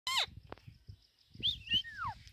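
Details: Pet Indian rose-ringed parakeet said to have started talking: a harsh descending squawk, then after a pause a few high bending whistled notes and a long falling slurred whistle, over a low rumbling background.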